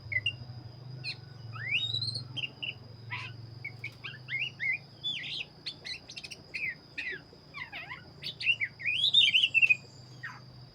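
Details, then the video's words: Black-breasted Oriental magpie-robin singing hard: very quick sharp chirps and down-slurred notes, roughly 200 a minute, ending in a bright rising warble. A low droning hum and a steady high whine fill the background. "burung Kacer dada hitam gacor"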